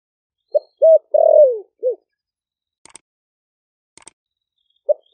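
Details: Spotted dove in a cage, caught wild in Ninh Thuận and caged four months, calling wild doves with a thick 'thổ' voice: four-part phrase of short coos around a long descending coo, then quiet with faint clicks before another coo begins.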